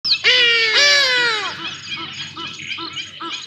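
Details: Juvenile Black Sparrowhawk looking for food at Djuma Private Game Reserve on 5 January 2024, picked up by a live camera. It gives two loud, harsh, drawn-out wails that slide downward, followed by softer chirps from other birds in the background.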